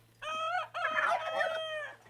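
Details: A farm rooster crowing in the morning at breakfast feeding time gives one loud crow: a short harsh opening note, then a longer, strained, wavering phrase that trails off, all within two seconds.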